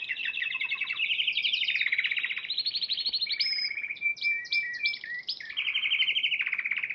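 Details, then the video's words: Champion Spanish Timbrado canary singing in the March 2014 Piala Raja competition, a long unbroken run of buzzy rolled trills, bell-like flat tones and rapid pulsed phrases that shift pitch every second or so. "Kenari Spanish Timbrado Juara Piala Raja Maret 2014"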